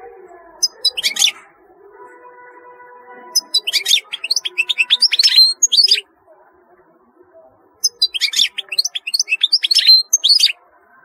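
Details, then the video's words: European goldfinch singing three long bursts of rapid, tinkling, buzzy twitters separated by pauses of a second or two, with a faint hum between phrases. "تغريد رهيب للحسون"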